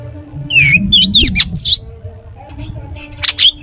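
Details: Long-tailed shrike, cendet song used as a prompt for other shrikes: a few twisting whistled slurs and harsh notes, then a quieter pause and one more burst, with low rumbling hum.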